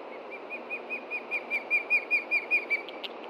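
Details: Osprey pair at a Montana nest, alarmed by a threat on the ground in late June, late morning: a run of whistled chirps that builds in loudness, about two and a half per second, then tapers off.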